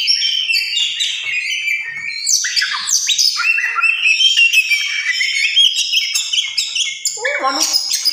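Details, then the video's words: Continuous song of a tame oriental magpie-robin: loud, fast-changing whistles, buzzy trills and scratchy chips mixed in a dense, varied stream, ending with a few harsher, lower rasping notes. "Kicauwan burung Kacer jinak"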